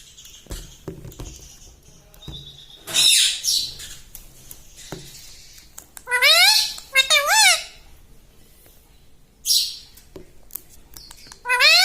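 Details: Pet parrot indoors that imitates human words such as "mummy" and "mitthu"; a breathy squawk, then two rapid rising-falling harmonic phrases around 6 to 7.5 seconds, another hiss, and a rising note at the close.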